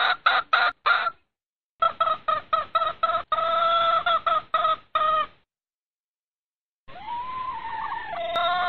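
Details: Red junglefowl hen calling to the rooster in breeding season: bursts of rapid harsh clucks, then a longer steady cackling call with a faint rising note at the start of the final phrase.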